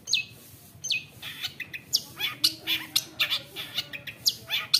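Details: Long-tailed shrike, wild-caught when young, gives loose, sharp descending chirps roughly every half second in its provocative 'roll tembak' song, which is aimed at angering other shrikes.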